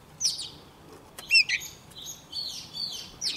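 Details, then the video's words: Young Oriental magpie-robin singing hard as a wild bird comes near: scattered whistled notes and short upslurred chirps at high pitch, separated by brief pauses, with a faint background hiss. "Choè than non lên hót cực sung khi bổi đến gần"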